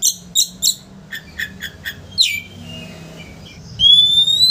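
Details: Oriental magpie-robin song intended to anger a rival into fanning its tail: rapid repeated harsh chips, a short descending note, soft warbles, then a long loud rising whistle.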